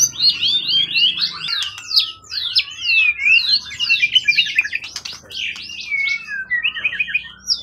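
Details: Wild-caught competition bird in peak form, tail above 20 cm, long in care: dense, continuous high scratchy warbling with rapid sweeping notes, ending in brief chattering bursts.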